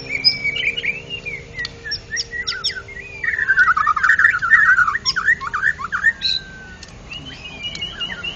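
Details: Ngeplong-style song of a national champion white-rumped shama: clear whistled notes, then a long run of rapid warbling, slurred phrases, with short pauses and a few sharp high chips near the end.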